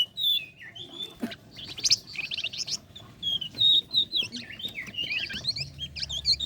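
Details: Flame-breasted flowerpecker in lively, sustained song, used as a lure for contest songbirds: high thin whistles, rapid buzzy chatters and quick up-and-down twittering phrases in an almost continuous stream.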